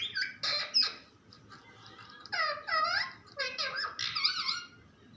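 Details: Parrot talking nonstop at home: a few harsh squawks, then smooth arching speech-like syllables in two groups, with a faint hum behind.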